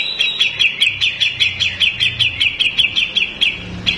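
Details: Tutor recording of a male grey-cheeked bulbul (cucak jenggot) for contest birds: evenly spaced, slightly downslurred whistled notes, about two and a half per second, repeated steadily throughout.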